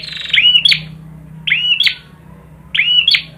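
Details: Prinia (perjak) singing: three phrases, each a buzzy rattle bending into curved whistled slurs and a high click, spaced over a second apart above a low hum.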